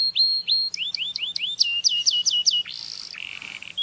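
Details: Canary singing for mating stimulation: a series of rapidly repeated, upward-sweeping whistled notes, about four per second, followed by a buzzy trill and a final clear note.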